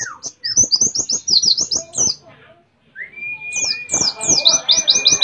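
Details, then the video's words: {'caption': 'Canary-imitating song of a white-eye endemic to Mount Ciremai, West Java: quick bursts of very high downslurred chirps, a short gap, then a sustained flat whistle under renewed rapid twitter.'} "Pleci Nembak Kenarian"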